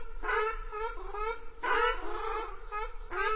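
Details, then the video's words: Ruddy shelduck call: short groups of loud, nasal, trumpeting honks, three bursts separated by brief pauses, each with strong harmonics and a slightly descending shape. "চখাচখি হাঁস পাখির ডাক রিংটোন | Ruddy Shelduck Bird Call | Hans Pakhir Dak"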